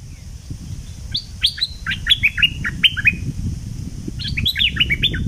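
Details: Decoy call of the southern Thick-billed flowerpecker: two bursts of rapid, metallic downslurred chirps, the first about eight notes and the second shorter after a brief pause, against faint low background rumble.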